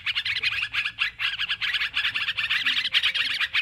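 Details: Sooty-headed bulbuls calling noisily, recorded as a trapping lure: pulses of rapid bubbling chirps in quick clusters, many birds overlapping in a busy chorus.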